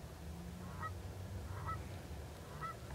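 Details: Canada geese (Branta canadensis) taking off at dusk on 17 September 2014, recorded from a car, give three short, nasal honks about a second apart over a heavy, low rumble.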